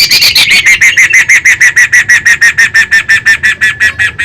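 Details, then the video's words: Laughingthrush, described as a beginner bird singing actively, gives a fast series of loud, clipped, slightly descending notes, about three per second, steady and repetitive throughout, with a faint low hum beneath. "Burung GACOR Poksay Pemula"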